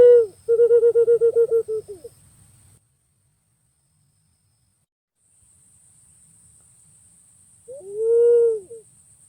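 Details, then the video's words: Pink-necked green pigeon: a rapid series of soft, evenly pulsed low whistles that trails off, then a long quiet gap before a single smooth, drawn-out whistle with a slight rise and fall. "Suara Burung Punai Pink ( walik Ungu )"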